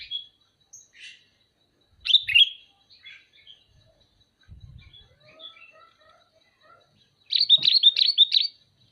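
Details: Sooty-headed bulbul calling: scattered short chirping notes, then a loud rapid burst of bright, bubbly, repeated notes near the end, with faint softer notes and a brief low rumble between.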